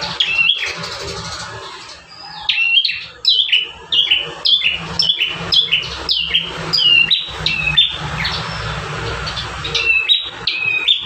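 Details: Bar-winged prinia in vigorous song, one of five variations used as a master recording for training caged birds; a long run of loud, sharp, descending whistled notes, each bending down in pitch, about two per second.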